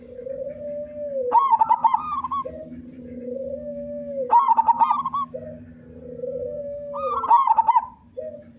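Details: :Local zebra dove with a big voice, singing freely, used as a lure to prompt other doves to sing: a loud, rolling staccato cooing phrase repeated roughly every three seconds, alternating with lower, softer drawn-out coos and a steady background hum.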